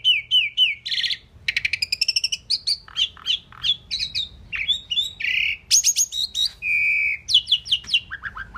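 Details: Talking Indian pied myna said to say 'Mynah' and other words: a quick run of varied whistles, squawky chatter and speech-like phrases, some notes repeated in fast bursts, with faint low rumble underneath.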